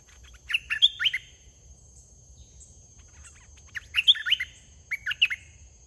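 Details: Fierce wild red-whiskered bulbul attacking a caged decoy bird: two loud bursts of quick, bubbly, warbled notes about three seconds apart, each a tight cluster of rising and falling whistles, with a faint steady hiss behind.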